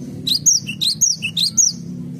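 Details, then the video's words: A Cinereous tit in a garden sings cute, high whistled phrases: a rising note, a higher falling note and a lower note, repeated several times over a low background hum. "BURUNG GELATIK BATU SUARA IMUT DI KEBUN.."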